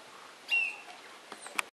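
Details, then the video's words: A golden-winged cacique in Atlantic Forest at the RPPN Corredeiras do Rio Itajaí reserve, Itaiópolis, Santa Catarina, Brazil, gives one clear, high, level whistle, followed by a few short dry clicking notes. "Canto do TECELÃO japim-soldado Cacicus chrysopterus"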